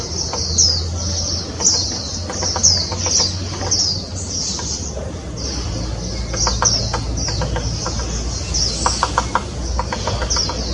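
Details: Grey-capped Pygmy Woodpecker in Taiwan, 2016, giving thin, high squeaky notes about once a second, with scattered dry clicks and a low background rumble.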